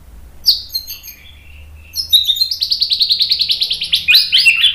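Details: White-rumped shama song used as a tutoring and provoking recording to make other shamas answer: a few scattered high whistled notes, then a fast, steady trill of sharp notes near the top of its range, repeated about three times a second.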